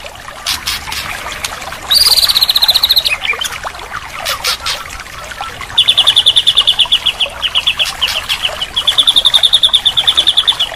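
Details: White-rumped shama training recording with rich filler to restart a bird that has gone quiet: several long, very fast rattling trills, each lasting about a second, separated by softer chips, with faint hiss.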